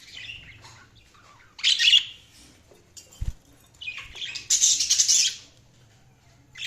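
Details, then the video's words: Budgerigars chirping: two bursts of bright, high warbling chatter, the second longer and louder, with quiet gaps and a faint low hum in between. "Budgies Chirping sound"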